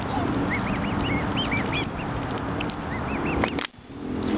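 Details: Black swan cygnets with an adult, giving a series of short, high, arched peeps repeated in quick succession over a steady background hum and murmur.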